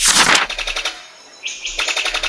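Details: Brown sicklebill (Epimachus meyeri), call.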